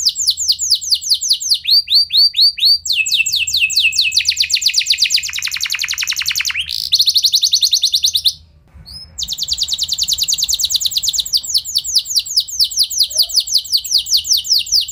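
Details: Canary song used to make other canaries sing with long rolls; varied rapid trills and rolls of high notes, shifting pitch between phrases, a brief break, then more fast rolling trills.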